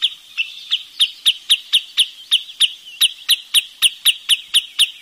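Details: Wood sandpiper giving a fast run of sharp, high, clipped notes, roughly four per second, each a short bright chip, continuing evenly through the whole stretch with a quiet background.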